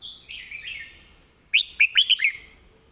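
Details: Red-whiskered bulbul giving its master song, praised for good phrasing and clearly articulated notes: a wavering whistled phrase, a pause, then a bright burst of four or five quick, clear whistled notes.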